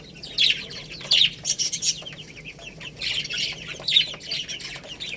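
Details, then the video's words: Several baby chickens eating rice, loud shrill peeping in bursts, dense chirp groups separated by short gaps, background low hum. "Beautiful Little Chicks Chirping Sounds"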